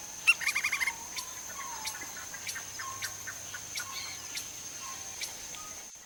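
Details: Lineated woodpecker, Brazil, foraging in forest habitat, gives a brisk series of about six clipped, evenly spaced notes after a sharp lead note. The call is followed by quiet ambience with a steady high buzz and faint bird calls.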